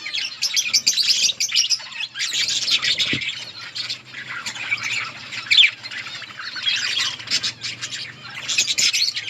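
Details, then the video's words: Feeding budgerigars in an outdoor colony: waves of dense, rasping chatter and chirps come in bursts separated by quieter gaps, with a low soft hum in the background. "Budgies parrot eating and chirping sounds"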